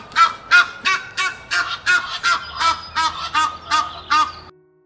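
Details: An Egyptian goose in the UK gives about a dozen harsh, rasping honks in quick succession, roughly three per second, with a faint low hum underneath.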